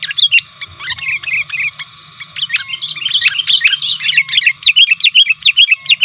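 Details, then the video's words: Sooty-headed bulbul used as a lure, actively calling and pressing rivals: dense, rapid chirping and twittering bursts, a brief lull near the middle, then quickening strings of sharp bright notes with a low background hum. "Pikat Burung Kutilang 100% Asli Gacornya Aktif Menekan Lawan"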